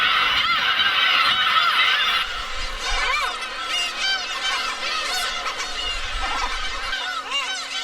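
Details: A crowded breeding colony of Black-tailed Gulls on Hongdo island, Tongyeong, South Korea, where over 20,000 gather from mid-April to nest, fills the air with overlapping, nasal, cat-like mewing cries, several every second, rising and falling in short arcs.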